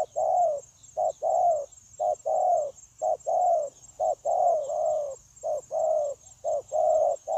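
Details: Wild-caught spotted dove with an eager, unbroken cooing manner, dated 9 January 2024; an even series of soft, low coo pairs, a clipped note then a drawn-out one, over faint hum and hiss.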